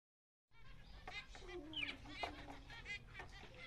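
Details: A pair of zebra finches, 2017, give short, nasal, toy-trumpet beeps, about two or three a second, over a low background murmur that may be voices.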